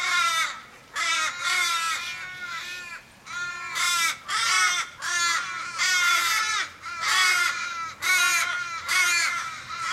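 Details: Australian ravens calling over a dying member of their flock in a Sydney street on 1 July 2012: a steady series of harsh, long-drawn caws with sagging endings, about one every second, voices of several birds interleaving.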